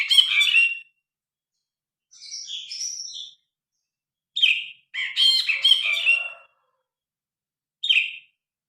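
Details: Phone-recorded grey-cheeked bulbul singing as tutor material: well-spaced phrases, a bright chattering opening, a softer warbled phrase, a pair of loud slurred bursts, and one final short phrase after a long silence.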